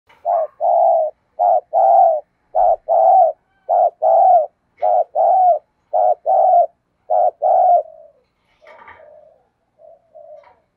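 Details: Spotted dove decoy bird giving urging thúc bổi calls to provoke a response. It makes a steady series of about nine paired coos, each a short note then a longer mellow one, followed by a few faint softer notes.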